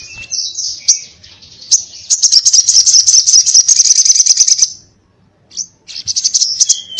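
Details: Sogon sunbird in intense fighting-style 'ngobra' song: a soft start building into a loud, very rapid high buzzy chatter for nearly three seconds, a silent gap, then a short burst of renewed trilling.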